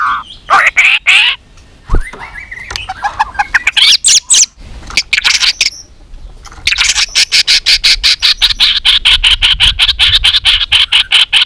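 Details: White-rumped shama in fighting-contest song during training: harsh rising sweeps and varied phrases, then a long, fast, steady series of scratchy notes.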